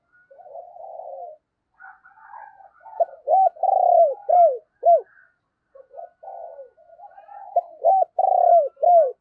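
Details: Decoy spotted dove calling wild doves with 'thúc' and 'gáy' cooing; two phrases, each opening with soft rolling murmurs and ending in loud, evenly spaced hooked coos with a longer held note.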